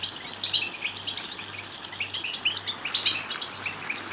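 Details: European goldfinch song to stimulate singing: fast tinkling chirps and twitters, two bright bursts near half a second and three seconds, over a faint rhythmic low hum.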